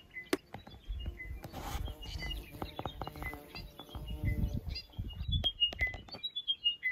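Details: Chiming wedgebill (Psophodes occidentalis) song at dawn by a river crossing pool in inland Australia: clear, bell-like whistled notes stepping downward, about once a second, amid other bird chirps and low wind rumble; shy bird hiding in undergrowth from hunting little falcons.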